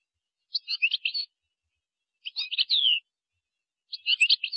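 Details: Softer, clipped phrases from a European goldfinch in Moroccan style, gazarat and srrr bertbertio: three short bursts of jangling chirps about one and a half seconds apart, the middle one ending in a falling whistle.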